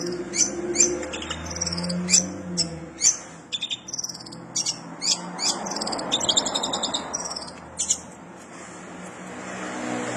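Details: Long-tailed shrike in vigorous song, mimicking the house sparrow: rapid high chirps and chattering phrases repeated in bursts, with a passing vehicle rumbling in the background midway.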